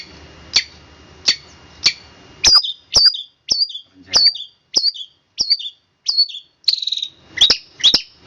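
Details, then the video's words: Long-tailed shrike in "roll speed rapat" song: sharp high chirps speed up into a quick run of clipped two-part notes, then a short buzzy rattle and a closing cluster of chirps. "cendet roll speed rapat om kicau"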